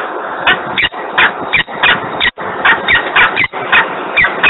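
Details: Noisy, screaming peregrine falcon recorded in Włocławek at 10:36 on 3 December 2020; rough, raspy notes in clusters, each burst lasting under a second, separated by short silences.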